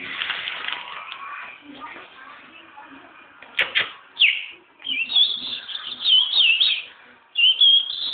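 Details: A Chestnut-bellied Seed Finch held loose in the hand gives clear, rolling whistled phrases, loudest in the second half, after softer chatter and a brief rustle of handling.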